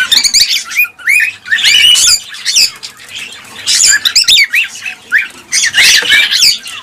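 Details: Cockatiels, to stimulate mating and breeding: bursts of shrill chattering and whistled screeches in loud clusters separated by short quieter gaps, many birds calling at once.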